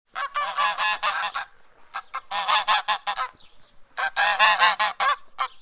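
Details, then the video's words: An angry farm goose honks in three loud bursts of rapid, harsh, nasal honks, each burst about a second long, with a brief quieter call between. "Goose Honking Noise"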